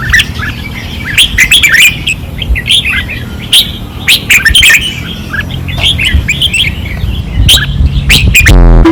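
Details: Red-whiskered bulbuls in cages on a training perch in Pattani singing fiercely, dense overlapping bubbly warbles and sharp chirps throughout, ending in a short mechanical buzz, over low background hum.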